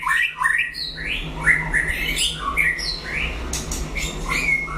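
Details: White-rumped shama, a bird of the fighting style called Lửa, singing in a solo duel against a rival: rich, varied whistled phrases rising and falling between low and high notes, dense and continuous, with faint clicks and a steady low hum behind.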